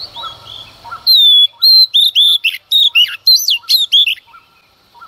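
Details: A female Oriental magpie-robin sings at dawn to excite males. After faint chirps, a long pure whistle opens a fast, loud run of varied slurred and twittering notes, then softer repeated chirps return.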